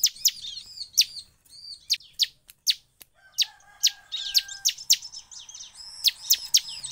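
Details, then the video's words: A bar-winged prinia sings in bursts said to provoke other prinias. Irregular sharp, high, falling chirps are scattered through the recording, with steady lower whistled tones running alongside in the middle. "SUARA CIBLEK PENDONGKRAK EMOSI CIBLEK LAIN IKUT EMOSI SEKETIKA"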